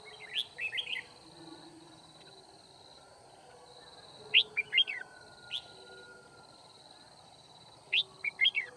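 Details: Red-whiskered bulbul decoy singing during trapping to challenge rivals, recorded 9 February 2019; three short bursts of quick, bright warbled notes rising and falling, separated by pauses, with a steady high hiss behind.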